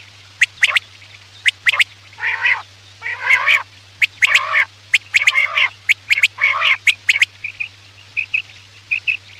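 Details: Quail calls played at night as a hunting lure: short tonal notes repeated roughly once a second, mixed with buzzy rasping bursts and sharp high clicks, with a steady low hum underneath.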